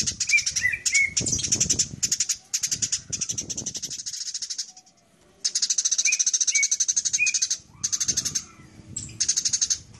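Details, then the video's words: House sparrows fighting, chirping in fast, harsh, shrill, agitated overlapping bursts of several seconds with brief pauses, in a long-duration recording. "SUARA BURUNG : Masteran gereja tarung durasi panjang"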